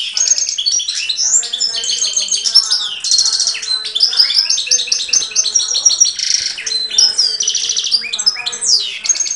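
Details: A close-range goldfinch hybrid, hand-reared and recorded in 2013, pours out a long, unbroken twittering song of liquid tinkles, dry buzzes and rattling trills that repeats in quick, varied phrases.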